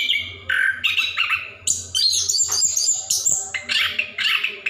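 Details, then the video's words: Orange-headed thrush, plontang form, delivering lively ngerol song meant to set other birds singing; bright whistled phrases and scratchy chatter in quick succession over a faint low hum. "Anis Kembang / Plontang Gacor Ngerol"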